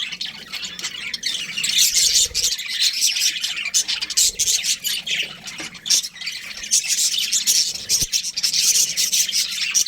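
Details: A budgie breeding pair chatters in bursts of shrill, scratchy chirps and squawks, the stream thinning briefly then building back to dense warbling.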